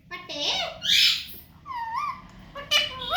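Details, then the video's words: Young parrot producing a harsh burst followed by wavering, speech-like tones and a short whistled rise, recorded indoors. "Talking Baby Parrot"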